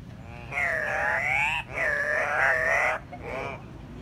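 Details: Andean cock-of-the-rock, captive at the San Diego Zoo, giving surreal, bizarre calls like a weird puppet voice: three loud nasal, wavering squawks rich in overtones, two drawn out over a second each, then a shorter third.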